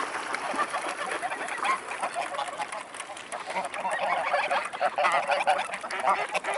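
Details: Mute swans in Dresden-Blasewitz, Germany, 5 December 2018, late afternoon at 16:32: many birds calling together in a steady wall of rough, nasal honking and chattering notes that swells slightly toward the end.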